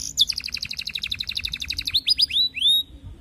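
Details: Canary song aimed at a female, used to prompt other canaries to sing: a long, fast, rolling trill of high notes, ending in a few upward-curving whistles.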